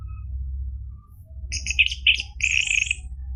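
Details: Orange-headed thrush song played to make a caged bird sing: after a quiet second, a short burst of rattling trilled notes and a buzzy high phrase, with low hum throughout.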